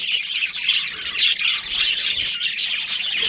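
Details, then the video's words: Budgerigars from a breeding pair and colony, chirping in a dense run of thin whistled squeaks and buzzy warbles, pulsing slightly in loudness. "Cute Budgies Chirping Sounds"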